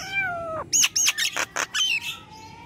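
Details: Nias hill myna singing vigorously: a harmonic whistle slides downward, then five or six loud, harsh, broadband bursts mixed with sharp high whistles in quick succession, ending in a steady flat tone.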